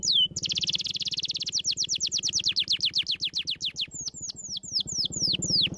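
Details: Canary song played to stimulate lazy canaries to sing, with a dense rapid trill followed by repeated sweeping downslurred whistles that gradually slow, over a low pulsing background hum.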